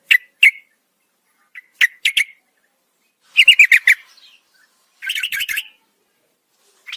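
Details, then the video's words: At night a female yellow-vented bulbul calls the male with scattered sharp chips, then two quick gurgling bursts of rapid notes, on an otherwise quiet background. "PANCINGAN TRUCUKAN ROPEL PANJANG SEKETIKA LANGSUNG NYAUT masteran burung trucukan malam hari"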